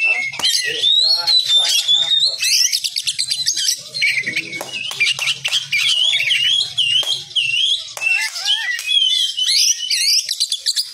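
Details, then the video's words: Oriental magpie-robin (kacer) tutor song for training contest birds. A continuous, rapid stream of varied whistles, sweeping slurs and sharp chips, densely layered, over a low steady hum. "SUARA MASTERAN KACER BUAT LOMBA BURUNG JUARA"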